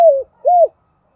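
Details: Two mellow, low arched coos from a decoy spotted dove in its calling song, the first falling away and the second rising and then dropping, with silence after.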